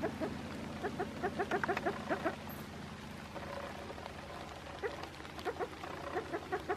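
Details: A female spruce grouse with a brood of chicks, doing a broken-wing distraction display toward a walker in the afternoon, gives quick runs of short, nasal clucks in two bursts separated by a pause, over a low rumble.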